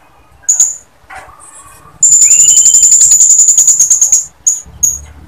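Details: Used to lure males into singing, a female blue-crowned hanging parrot gives a sustained two-second burst of rapid, shrill, very high ticking notes, preceded and followed by single sharp chips, with a faint lower rising whistle.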